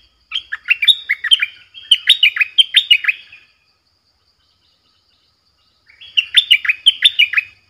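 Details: Streak-eared bulbul, a decoy bird used to lure wild birds, gives two bursts of rapid chattering notes, bright and scratchy with falling slurs, each burst about three seconds long, separated by a pause of silence.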